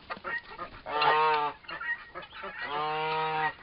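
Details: Two turkey toms about four months old fighting: after scratchy noises, two drawn-out, buzzy, strongly harmonic groaning calls of under a second each, the second steadier and level in pitch.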